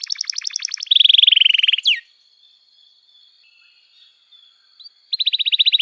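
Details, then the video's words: Training song of a canary for young birds learning to sing: quick high trills and a short falling note, a long near-silent gap with a faint tone, then the trill resumes. "Kenari Gacor Panjang Cuit Cuit Emosi, Pancingan Kenari Paud Belajar Bunyi, terapi ampuh kenari macet"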